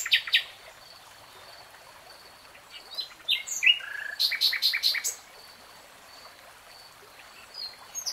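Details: Common nightingale song with long pauses: a few sharp clicks, a brief whistled slur, then a burst of rapid harsh stuttering notes before quiet, with a faint steady high tone throughout.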